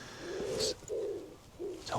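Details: A wood pigeon at RSPB Otmoor wetland reserve in Oxfordshire at dusk around a small starling murmuration gives soft, low, husky coos in a slow run of three deep hollow hoots, with faint outdoor ambience.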